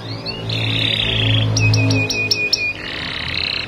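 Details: Canary (Serinus canaria), song: lure song to prompt other canaries to sing.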